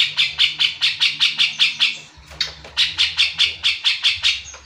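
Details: Grey-cheeked bulbul (cucak jenggot), a bird said to have gone from lazy singing to lively song, giving harsh, buzzy chattering notes repeated about twice a second, with a brief pause midway before the steady series resumes.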